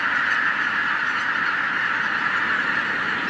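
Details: Wild geese numbering in the tens of thousands take flight after a white-tailed eagle disturbs them. A continuous, even clamor of countless honking voices.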